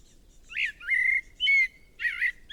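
A blackbird sings rich, fluty warbled phrases, four short mellow notes in two and a half seconds, clear and strong over a quiet background.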